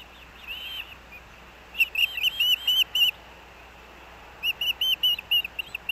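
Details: Osprey at a riverside nest by Hellgate Canyon, Missoula, Montana, on an August morning while the male delivers fish: two bursts of sharp, whistled, slightly rising notes separated by a pause, over faint background hum.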